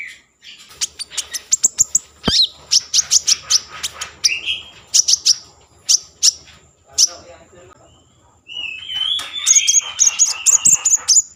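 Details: Common iora in full song, aimed at arousing breeding mood and prompting song: a fast run of crisp chirps and clicks, a few buzzy notes, then a long wavering whistled phrase mixed with high twitters.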